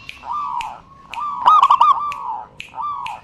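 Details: Perkutut, the zebra dove, singing as a lure for silent doves: drawn-out hollow coos alternating with a quick rattling burst of clipped notes midway, steady background rumble.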